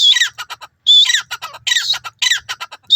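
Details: Grey francolin, known locally in India as teetar, calling loudly: shrill, harsh high notes in repeated bursts, each followed by quick clipped pulses, the phrases coming roughly every second with short silent gaps.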